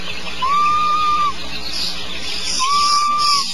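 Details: A snoring owlet gives two drawn-out, steady whistled notes, each nearly a second long and about two seconds apart, over a constant background hiss.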